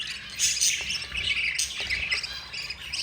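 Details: Four budgerigar babies begging during feeding by their yellow mother; loud, harsh overlapping squawks and squeaky notes crowd this short stretch.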